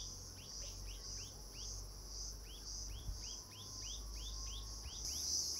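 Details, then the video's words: Himalayan bulbul at Landour, India, giving a steady run of short, arched chirps, about three a second, over a constant high insect drone and low background rumble. "Himalayan bulbul"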